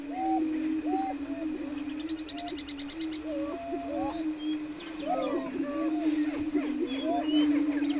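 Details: Lek of greater prairie-chickens near Wray, Colorado, April 17, 2011; steady low moaning booms blend into one drone while sliding whoops and chatter rise over it, plus a brief rapid ticking burst.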